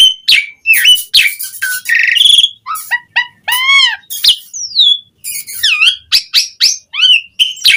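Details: Asian pied starling song meant to coax starlings into singing: a varied medley of harsh chatters, squeaks, arched whistles and long gliding notes, changing quickly from one phrase to the next with short gaps.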